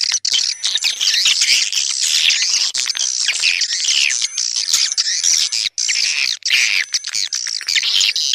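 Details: Calling sound to attract swiftlets: an unbroken, crowded twittering of high, rasping chirps, like a busy roost, with only a couple of tiny pauses.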